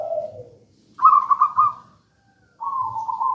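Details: Local wild zebra dove, gedang rojo style, singing steadily as a lure and master song; a falling soft coo, then a pulsed rolling coo and a level sustained coo after a short silence.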